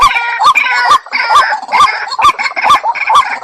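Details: White-breasted waterhen lure call: loud, harsh notes with a rising hook, repeated steadily about twice per second, with dense overtones and no other sounds.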